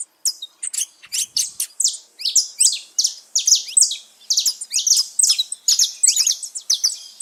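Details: Saffron finches living free in nature, a lively gathering: continuous high, bright chirping and quick rising notes from several birds, densely overlapping and steady throughout.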